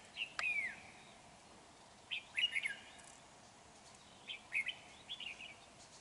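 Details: Red-whiskered bulbul used as a lure bird during trapping on 31 January 2019, a large bird with a dark bib: three short warbled, whistled phrases spaced about two seconds apart over quiet background hiss.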